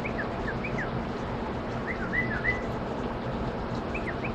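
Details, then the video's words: Bulbul mimicking other sounds: short whistled, downward-slurred notes in scattered groups over a steady low hum and noisy background. "بلبل يقلد"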